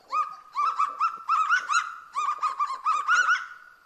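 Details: A kagu, an almost flightless, endangered bird of New Caledonia's dense mountain forest floor, greeting others gives a rapid run of loud, yelping, bark-like notes, about a dozen harsh nasal yaps in under four seconds, almost dog-like.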